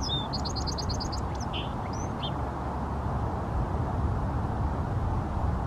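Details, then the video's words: A Song sparrow in Seattle gives one song of high opening notes, a quick rattling trill and a lower buzzy note, over a steady low rumble of traffic. "Song sparrow song"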